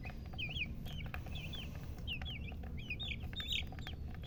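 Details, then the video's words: Baby chicken chicks, described as colored chicks, chirping: rapid high bright peeps with quick up-and-down slurred notes, several per second in irregular bursts, over a steady low rumble of background noise. "silly chicken chirping sounds with murgi hen color chicken"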